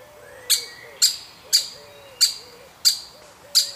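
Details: Young woodpecker being fed, part of a woodpecker family; six clipped, piercing chirps spaced about half a second apart, over a soft low wavering background note.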